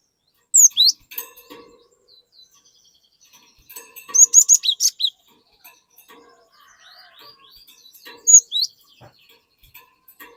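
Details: Cinereous tit (glatik batu) singing energetically to lure untrained birds into singing along: bursts of thin, high whistled notes swooping up and down, grouped into short phrases separated by pauses, with softer chips between.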